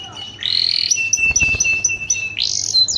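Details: Canary singing to induce mating: long high, steady, slightly buzzy whistled notes joined by short chips, ending with a rising swoop.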